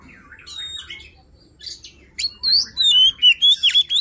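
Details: Luring song of a white-rumped shama: soft warbling at first over a faint low hum, then loud, clear whistled notes repeated in quick succession with sweeping slurs.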